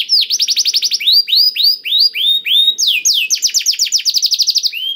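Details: Male canary singing, used as a lure to prompt reluctant caged canaries to sing; rapid trills of repeated downward-sweeping high notes, switching between phrases of different pitch, loud and continuous with a clean background.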